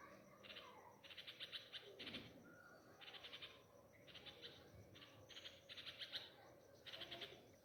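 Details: Nightingales grieving a chick taken by a cat near their nest in pomegranate plants at a home: short bursts of rapid rasping chirps, repeated about every second, over a quiet background with a low thump.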